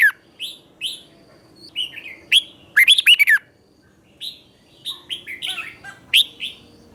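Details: Red-whiskered bulbul master song in the doubled style, played for birds to learn. Scattered single whistled notes surround one loud, dense phrase near the middle, followed by softer short phrases.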